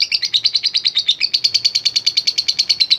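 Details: Lovebird of fighter type in long ngekek chatter, meant to provoke other lovebirds: quick, evenly spaced shrill clicks, about seven a second, keeping a steady rhythm throughout.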